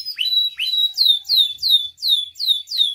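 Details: Canary song meant as a master and lure to get canaries singing: two upslurred whistles, then a clear series of loud descending swept whistles repeated about three times per second.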